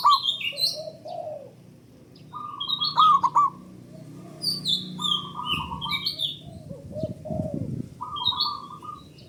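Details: Zebra dove of local stock, loud and long-voiced, sung to prompt other doves: several runs of quick even coos, interleaved with high descending whistles of other birds and some low rustling.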